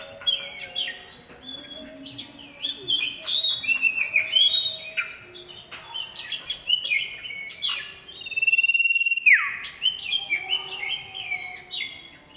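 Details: A male common iora calls a female with a long string of varied sharp whistles and chirps, then a sustained level whistle that swoops sharply down, followed by more quick notes.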